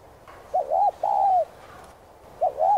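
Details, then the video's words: Spotted dove coos meant to stimulate caged doves to sing: one full phrase of a short wavering note and a long slurred coo, then the start of the next phrase, over a quiet background. "Chim Cu Gáy Thúc, Gù 2 Kích Bổi Nhanh Nổi.Tiếng Cu Gáy Giọng Hạp BổI.Cu Đất Gáy"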